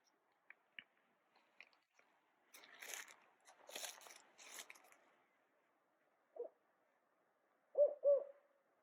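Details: A Northern Spotted Owl in the Mad River watershed, California, calling frequently after taking offered mice, gives a few low, hollow hoots near the end, after crunching and rustling footsteps of searchers downslope with faint clicks.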